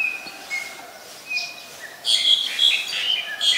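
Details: Black-collared starling (Black-collared Myna, Gracupica nigricollis) recorded 25 December 2019 in Ubon Ratchathani, Thailand, gives a few thin, level whistles, then bursts into loud, harsh, grating chatter over the last second and a half.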